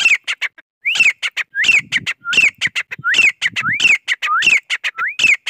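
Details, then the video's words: A grey francolin gives loud, harsh, high notes in quick rising phrases, repeated over and over at an urgent, uneven pace. "Gora Teetar Voice | Grey Francolin Voice"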